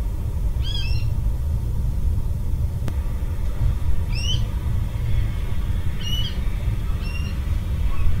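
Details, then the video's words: Water rail calling, filmed 24 December 2021: short, sharp, high notes that slide upward, spaced irregularly every second or two, over a steady low rumble like distant traffic. "Roepende Waterral (Calling Water Rail)"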